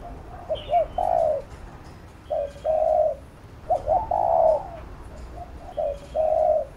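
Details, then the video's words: Coaxing coos of a spotted dove used in decoy-bird training: four soft low phrases, each a pair of clipped notes leading into a sustained coo, with a brief high chirp early on. "Cu Gáy THÚC GÙ Siết Bổi Đẳng Cấp/ Kích Mồi Tập Bổi Căng Đét"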